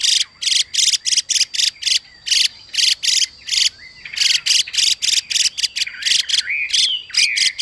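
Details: A female Chinese hwamei hisses in rapid rasping bursts to urge a male to sing, while sweeping whistled notes weave through the second half and the male's song mixes with her call.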